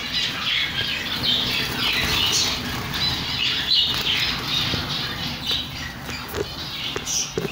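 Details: A group of chicks peeping steadily: thin, high, quick notes about three per second, overlapping one another, with light tapping and a hissing background.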